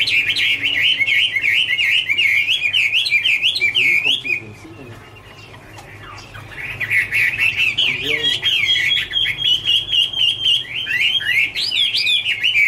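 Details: Long wavering song of a Chinese hwamei, 2017: a fast warbled stream of whistles, a brief lull midway, then the bird resumes with rolling repeated notes and higher flourishes.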